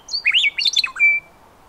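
A Western Meadowlark gives one rich, flutelike phrase of tumbling, gurgling whistles, about a second long, ending on a clear held note.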